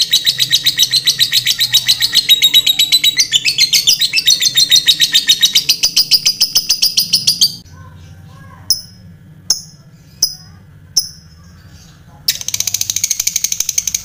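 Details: Lovebird giving a long, fast chattering trill used to provoke rival lovebirds into answering; rapid repeated high buzzy notes for about seven seconds, then a few isolated sharp clicks, then the quick chatter resumes.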